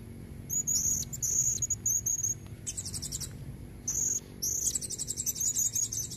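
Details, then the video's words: High, thin repeated squeaks of a female blue-crowned hanging parrot, calling to entice red-necked males. Short note strings alternate with harsh buzzy trills, and there are brief pauses between them. "Suara serindit betina buat pancingan jantan leher merah"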